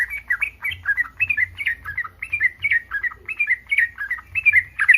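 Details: Excited breeding yellow-vented bulbul whose call provokes other bulbuls to sing back; clear, chuckling warbled notes in quick, uneven series, with faint high ticks in the background.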